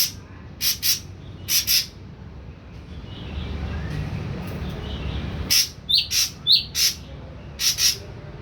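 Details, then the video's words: Wild-caught juvenile ashy drongo after three weeks on pellet feed, starting to vocalise; clusters of brief rasping double notes early on, then a quick run of six or seven scratchy chips after a quiet pause, with low indoor rumble. "SRIGUNTING ABU BAHAN 3 MINGGU PUR TOTAL DAN MULAI BERANI BUNYI"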